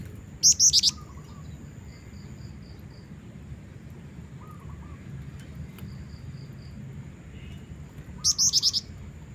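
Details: Lively female Black-winged Flycatcher-shrike calling as a lure for a male, giving two brief bursts of four or five rapid, very high piercing notes about eight seconds apart, with faint distant chirps from other birds between.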